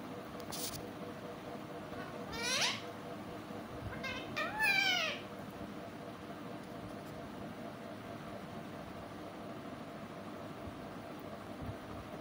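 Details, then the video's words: Pet parrot speaking sweetly: a brief high squeak, then two louder harmonic phrases with rippling downward sweeps. A quiet stretch with faint room hum follows. "Mithu talking sweet voice"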